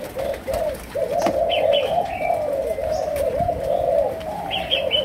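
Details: Spotted dove of Malaysian stock in chiêu gù, sấm đồng cooing style, pouring out near-continuous low throaty coos that swell and dip, while faint thin chirps from other birds appear now and then.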